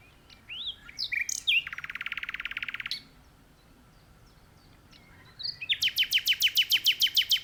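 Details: Powerful song of a common nightingale perched in a tree. A few whistled notes lead into a dense buzzy trill lasting over a second, then a pause, then a loud rattling series of rapid repeated notes.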